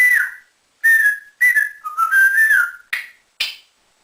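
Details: Captive male African grey parrot whistles a series of clear, level and gently wavering notes, some with brief drops, followed by two short breathy squawks, in a quiet indoor setting.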